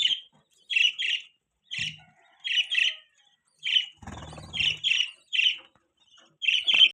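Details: Budgerigar chirping in spaced clusters of two or three high, scratchy notes, with a soft rustling burst in the middle.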